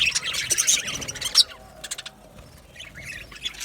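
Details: Budgerigars chirping in an aviary: a burst of sharp high squeaky notes for about a second and a half, then sparse quieter chirps with short gaps between them.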